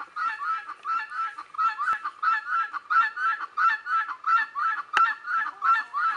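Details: Guineafowl heard behind Leghorn chickens, giving a fast, regular series of raspy, metallic cries, roughly three per second, with a couple of sharp clicks or knocks cutting through.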